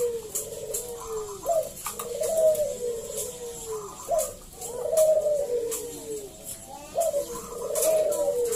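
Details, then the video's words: Local Zebra dove song used to coax other doves into singing: soft, rolling coo phrases about every two seconds, each sliding downward, over a steady background hiss. "PERKUTUT GACOR SUARA PALING AMPUH UNTUK PANCINGAN BUNYI BURUNG PERKUTUT AGAR NYAUT GACOR"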